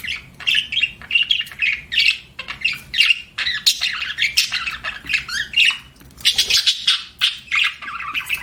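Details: Loud, dense chatter from pet budgies: harsh squawks mixed with quick warbling chirps, almost continuous for the whole stretch, a few brief pauses between bursts.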